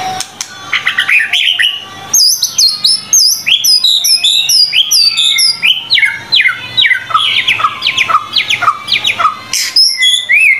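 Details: Rich White-rumped shama tutor song holding 25 materials: a brief warble, then fast runs of very high, thin repeated chips and varied whistled slurs, delivered rapidly and continuously over a faint background hum.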